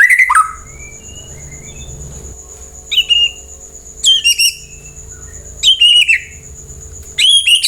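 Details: White-rumped shama song to prompt other birds to reply: scattered soft whistles, then short, sharp high phrases repeated roughly every one and a half seconds over a constant thin high-pitched tone.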